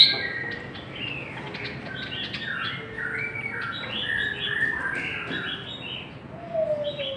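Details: Chinese hwamei in a singing contest pouring out a rich, continuous song of varied whistled notes, rising and falling slurs tumbling quickly one after another, ending with a lower drawn-out whistle.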